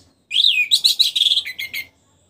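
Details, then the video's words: Post-moult orange-headed thrush, kept in a cage, delivering a brisk high phrase: a rising-falling whistle followed by a quick series of buzzy chattering notes, ending abruptly. "memancing suara anis merah setelah ngurag"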